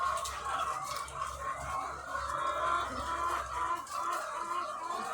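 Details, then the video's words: Crowded chorus of thousands of egg-laying chickens on a farm: layered clucks and brief cackling notes over a low humming drone that stops near the end. "The Sound of Thousands of Egg-Laying Chickens"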